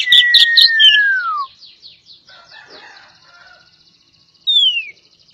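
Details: Javan Oriental magpie-robin (kacer poci): harsh chatter over a long, descending whistle, then faint trilling notes from other birds. A single bright whistle sweeps downward near the end.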